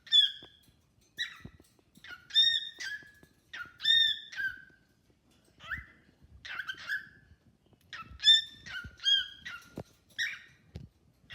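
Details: Pet cockatiel chatting and singing with a newly introduced bird: irregular mix of ringing whistles, short buzzy chirps and rising notes spread over several seconds, with soft clicks and taps between them.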